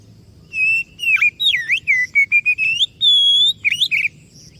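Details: Oriental magpie-robin pouring out a varied whistled song to lure other birds into replying: sweeping V-shaped notes, short level whistles in quick sequence, and a long rising whistle.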